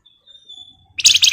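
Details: Javan white-eye song used as a lure: a long thin steady high whistle held almost a second, then abruptly a loud rapid buzzy rattle of high notes.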